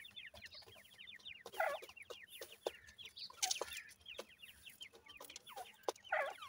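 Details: A group of Grey francolin chicks bred from gora and dakhni teetar parents cheeping busily in quick high slurred notes, with bursts of scratching and handling noise.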